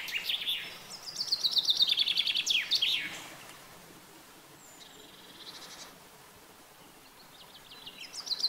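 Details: Common chaffinch singing: a bright, rapid trill of repeated notes that drops in steps and ends in a short flourish, followed by quieter distant chirps over soft background hiss.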